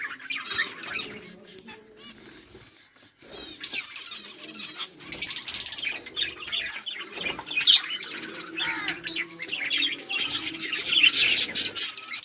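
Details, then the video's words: Colony of budgerigars chirping and playing on 24 July 2023: busy layered twittering and scratchy chatter that builds in the second half, with wing flutters and soft clucking-like low noises beneath. "budgies chirping and playing"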